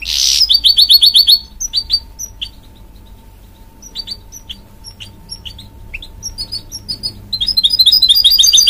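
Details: Goldfinch mule, a hybrid from a goldfinch crossed with a canary, singing indoors: a fast run of repeated high chirps, then scattered sharp notes and short trills, ending in a dense rapid twitter.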